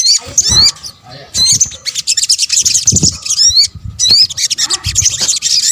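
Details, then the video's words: Sunbird (sogok ontong) calls in a combined lure track: loud high twittering bursts with sharp upward-flicking whistles, a short quiet gap near the first second, and a few dull low knocks. "kombinasi suara sogok ontong"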